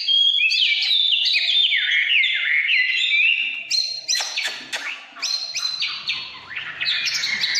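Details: Oriental magpie-robin singing in the 'căn lửa' style: rich, fast whistled phrases that slide down in steps, then sharper rising notes and brief clicks after a short dip in volume.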